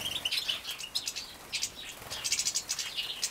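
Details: Feeding of young European goldfinches bred in captivity in Poland, 2017: soft, high chirps and short twitters, irregular and fairly quiet, with a few clearer whistled notes.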